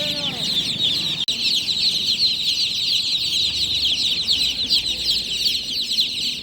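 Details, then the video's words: Newly hatched chicks chirping loudly at night: a dense, continuous chorus of high, shrill peeps from many birds, overlapping without pause, with a brief click near the start and a few faint lower notes early on. "Tot Murgi Chicks Chirping Sounds - Just Born Baby Gallina FRACAS Chicks Piar Loudly Sound"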